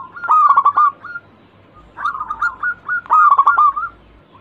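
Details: Local zebra dove in full song, recorded as a lure and described as eager and quick to sing. Three rapid stuttering coo phrases are delivered close together, each ending in a drawn-out note.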